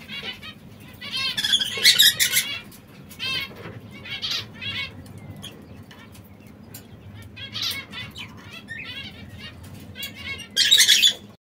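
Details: Canaries in brown, red and yellow colour forms giving short, bright, buzzy chirps in spaced bursts, some doubled, with loud fluttering wing-flapping bursts near the start and end and quiet background hum between calls.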